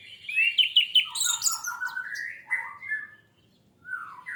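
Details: Lure song of an orange-headed thrush meant to set off fast, constant singing: a quick twittering medley of high chirps and lower slurred whistles, a brief pause, then a single falling whistle.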